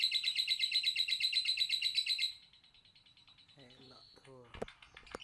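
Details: Rapid, even series of high metallic chirps from a lovebird lasting two seconds, followed by softer twittering, with a person's voice and some clicks near the end.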